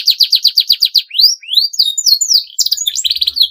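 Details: Canary singing long 'gacor' phrases that reportedly provoke rivals: a fast series of about ten buzzy downslurred notes, several upward and downward whistles, then a rattling trill at the end.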